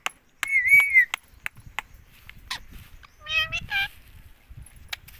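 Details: Pet ringneck parrot in India talking nonstop, repeating "mummy": a long, buzzy, level harmonic phrase near the start, later two short rising-and-falling voiced syllables, with scattered clicks and soft knocks between.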